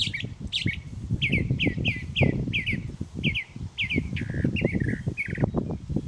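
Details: Morning song of a mockingbird that sings endlessly, reportedly until it finds a mate: a chirpy phrase repeated many times in quick succession, then shifting to slurred down-sweeping notes, with low rumble beneath.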